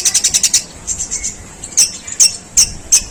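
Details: A long-tailed shrike singing its harsh sparrow-like tembakan gerejaan: a quick run of high, sharp chips, then scattered louder isolated chirps spaced about half a second apart.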